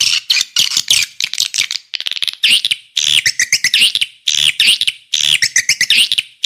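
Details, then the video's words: Swiftlet call used to lure swiftlets: repeated clusters of harsh, squeaky twitters and chirps, each group lasting under a second with brief pauses between. "Suara Walet Paling MAHAL, Suara Panggil"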